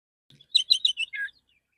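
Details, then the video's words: Relaxed morning song of a male Oriental magpie-robin calling to others of its kind, used as a lure: a rapid run of sharp chirping notes ending in a lower, drawn-out warble, otherwise quiet. "Pancingan burung kacer jantan pagi hari suara santai panggil kacer lain"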